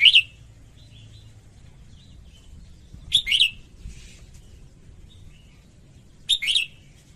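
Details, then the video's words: Red-whiskered bulbul female singing to stir up males: sharp chirped phrases of two or three slurred notes come about every three seconds, with soft faint notes in between. "Chào Mào Mái Hót Kích Trống Căng Lửa"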